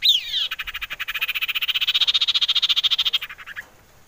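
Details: A male Common Iora, described as excited and ready to mate, gives a quick falling whistle, then a long, even trill of about thirty high notes over three seconds, ending in a short upslur.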